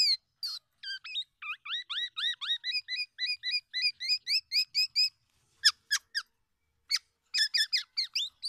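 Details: Tame black-naped oriole (kepodang emas) singing loudly and often: rapid runs of short, bright, rising notes repeated one after another for about five seconds, then scattered sharp high chips with pauses between.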